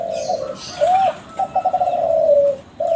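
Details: Kelantan spotted dove, a young bird bred from contest-winning stock and played as a lure to set other doves calling: a low coo, a rising-falling hoot, then a rapid pulsed roll drawn into a long descending note and a last coo.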